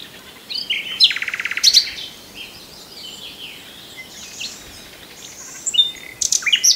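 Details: Common nightingale singing: a rapid buzzy trill around one second, sharp whistled notes, then quieter varied phrases and a burst of high clicking notes near the end.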